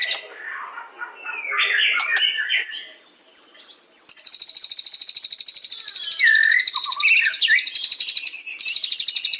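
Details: Murai batu (white-rumped shama) song opening with varied whistled and scratchy phrases and four short sharp descending notes, then a long, high, rapid trill with lower notes interjected.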